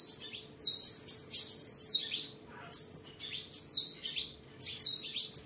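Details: High, thin sunbird song from a tame seven-colour sunbird kept at home in Đồng Nai, Vietnam, 23 July 2022, during singing, display and sparring: fast repeated descending notes and squeaky twitters in lively bursts, faint hum behind.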